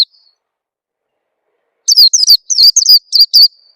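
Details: Lure sound of an Oriental white-eye meant to make young birds sing: nearly two seconds of quiet, then a lively run of about eight high, down-slurred chirps over a thin sustained tone.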